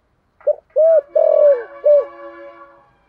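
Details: Decoy spotted dove with a 'giọng thổ' voice, cooing keenly: a brief opening note, a rounded coo, a long falling coo and a final short coo, followed by a faint ringing hum fading out.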